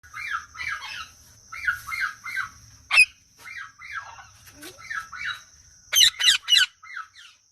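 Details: Green Indian ringneck parakeet giving natural chirping calls: bursts of short, bright, wavering chirps in quick clusters of three or four, with a few sharper clicks and faint low background rumble.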